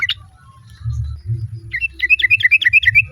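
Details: A female sooty-headed bulbul calls the male as other birds reply; a short sharp note, a pause, then a lively run of bubbling, quick chirruping notes over low rumbling hum.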